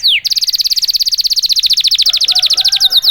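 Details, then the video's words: Canary song to provoke other canaries: one falling whistle, then a very rapid, even rattling trill of about fifteen notes per second held for nearly three seconds. "KENARI GACOR||038|| Jagonya memancing EMOSI kenari cepat bunyi."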